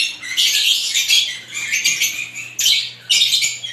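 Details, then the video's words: Different lovebirds squawk and chirp in loud, shrill bursts, two sudden louder outbursts near the end, over a steady faint low hum. "ibat ibang klasing uri ng love birds sarap nilang pakinggan habang na humuhuni"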